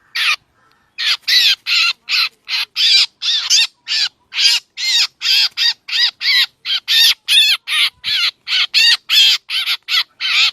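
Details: Black drongo calls used as a trapping lure: after a brief quiet start, a long series of rasping, harsh notes, about two and a half per second, loud and slightly irregular in spacing.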